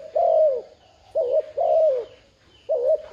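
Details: Decoy spotted dove urging on wild doves with repeated low cooing. Short wavering notes alternate with longer, smooth, descending coos, roughly one every second and a half, in a quiet setting.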